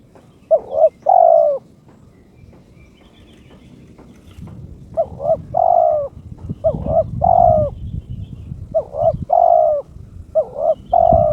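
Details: Kept spotted dove (terkukur) in breeding condition, calling to challenge a rival: five repeated three-note coos, two short hoarse notes then a longer drawn-out coo, with a low rumbling background noise in the middle.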